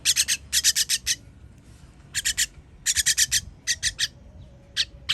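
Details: Chicks begging during feeding, 21.06.23: quick clusters of scratchy, high-pitched rasping notes, three to five per burst, separated by short silences.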